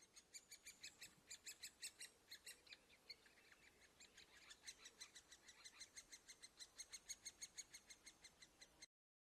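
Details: Nestling great spotted woodpeckers fed at their nest hole call in an insistent run of high, metallic chips, roughly three a second, speeding slightly toward the end before the recording cuts to silence.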